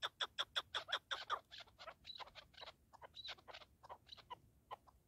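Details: Partridge calling with a quick series of short, sharp clucking notes, fast and regular at first, then looser and fainter toward the end.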